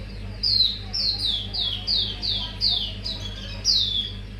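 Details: Mangrove whistler lure song with a series of eight bright, downslurred whistled notes spaced about half a second apart, each clear and ringing, over a faint low hum.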